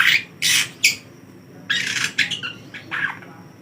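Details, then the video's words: A young long-tailed shrike, teased with a hand, gives loud, harsh, scratchy squawks in short bursts, several within a few seconds, over a faint steady high whine. "Cendet muda bunyi digoda pakai tangan"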